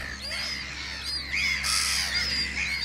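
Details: Black-headed gull colony of about 200 pairs nesting on islands at Arundel, Sussex, in summer: a continuous chorus of overlapping harsh, grating cries as adults defend young chicks from attacking larger gulls. Noise peaks as the young attempt their first flights.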